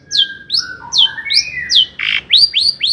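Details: Long-tailed shrike in full song, used as a lure to rouse other shrikes: high, sharply downslurred whistles about twice a second, interwoven with lower steady mimicked notes and a brief harsh burst, then rising upswept notes.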